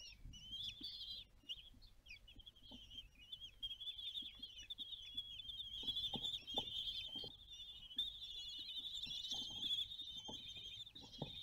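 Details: Common kestrel family at mealtime on the nest balcony in Théding, France, 20 June 2022: continuous high, thin wavering calls run almost unbroken, with scattered soft tapping and scraping knocks beneath.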